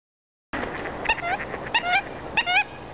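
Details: An American coot in a pond gives three short bursts of sharp, nasal, clucking double notes, almost mechanical, about two-thirds of a second apart, over a steady background hiss.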